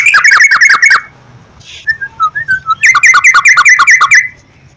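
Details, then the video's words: Trucukan, the yellow-vented bulbul, in a singing lure played morning, noon and night; quick chattering bursts frame a soft series of descending, whistled notes in the middle. "PANCINGAN BURUNG TRUCUKAN TERAPI PAGI,SIANG,MALAM,AGAR TRUCUKAN RAJIN GACOR"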